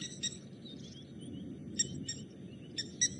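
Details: Blacksmith lapwings by a dam at Djuma Game Reserve on an April 2018 evening, with water thick-knees also calling and a cool south wind. They give sharp metallic hammer-on-anvil clinks in irregular bursts over faint whistles and a low rumble.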